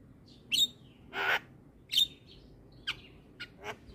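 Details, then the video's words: Javan myna (jalak kebo) singing energetically and nodding, a training recording for other mynas: short thin whistles alternating with rough, noisy rasps, spaced about a second apart. "Ocehan Jalak Kebo Gacor"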